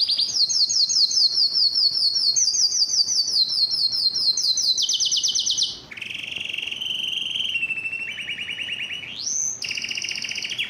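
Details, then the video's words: Continuous yellow canary singing: high rapid trilled phrases stepping between pitches, then lower rolled trills and a quick rising sweep before more high trilling. "yellow canary singing"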